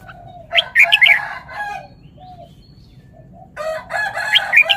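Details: Song phrases of a caged red-whiskered bulbul: a loud burst of bright, bubbling notes, a quiet stretch of soft whistles, then another rich, warbling phrase, with a low steady hum behind.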